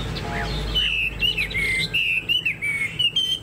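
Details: Caged Chinese hwamei with a spread tail and an upright posture, delivering long, clear whistled notes that bend up and down in a flowing phrase, with a brief faint chirp at the start.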